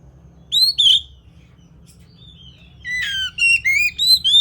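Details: Oriental magpie-robin song: a loud double whistle, a pause, then a rapid varied run of rising and falling whistled notes with buzzy accents, over a low steady hum.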